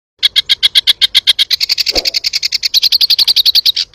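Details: Sooty-headed bulbul, 'tembakan' style song used as a tutor recording for training birds: a rapid, even burst of sharp high chirps, about four per second, rising slightly in pitch partway through, with one brief low thump near the middle.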